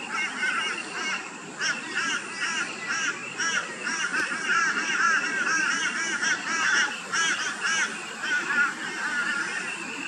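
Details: Rainbow bee-eaters in Australia, calling and feeding in the afternoon and at sunset, give busy, rolling trilled chirps about two a second, several birds overlapping over a soft hiss of background noise.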